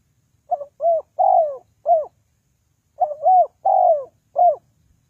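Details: Spotted dove used as a lure for trapping, repeating a four-note cooing phrase twice about two and a half seconds apart. The notes are low and soft, the third long and drawn out, against silence.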